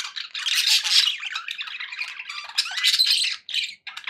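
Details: Cheerful pet budgies give scratchy, squeaky warbles and quick chirps, ending with short separated bursts.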